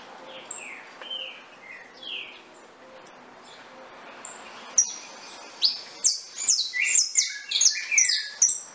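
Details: Saffron finch song starting with soft, lower slurred notes and quiet pauses, then breaking into a loud, rapid series of sharp descending chips near the end.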